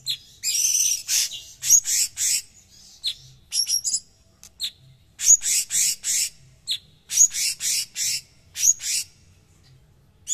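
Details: Cucak cungkok, a tutor bird valued for its coarse, closely packed song: dense clusters of harsh, raspy bursts mixed with sharp bright notes, coming in quick volleys separated by brief gaps.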